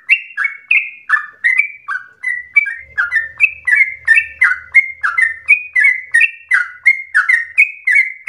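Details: Yellow-vented bulbul lure song for coaxing other bulbuls into continuous, rapid singing: a fast, rolling series of sweet chirps, each slurring down, with a faint low rumble in the middle.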